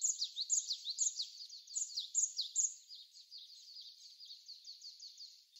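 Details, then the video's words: A Japanese tit gives quick, high, thin chirping notes in an uneven run, loud at first then fading, over a faint hiss. It was recorded in Korea on 16 February 2020 during windy snowfall. "박새 새소리"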